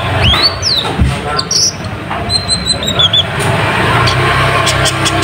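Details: Konin, or kolibri ninja, singing loudly as a lure to attract rivals: a rising whistled sweep, then a bright rapid series of high chirping notes, over steady low rumbling background noise.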